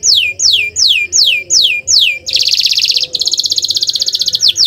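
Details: Canary song used as a lure to prompt other canaries to sing: six clear whistles sliding downward, about three per second, then a dense buzzy trill and a quick rattling roll, all high-pitched.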